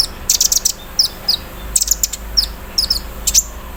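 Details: Olive-backed sunbird, a caged bird put out for morning dew, singing an embroidery-machine-style song. Quick clusters of high, sharp ticks alternate with brief thin downward-sliding whistles, with short pauses between.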